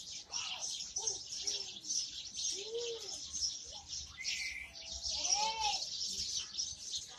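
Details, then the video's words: A group of house sparrows gives steady, overlapping high chirps in a busy chorus, broken by several short, lower, arching sounds. "House sparrows"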